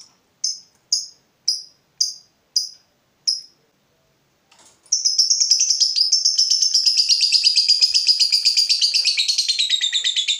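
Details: A fighter lovebird, provoked by a rival, first answers with six sharp, separate ngetik ticks about half a second apart, then after a pause launches into a long, dense, rapid ngekek trill.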